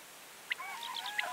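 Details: Common cranes (Grus grus) in autumn give brief, distant trumpeting calls, two or three honking notes that overlap in quick succession against a faint hiss.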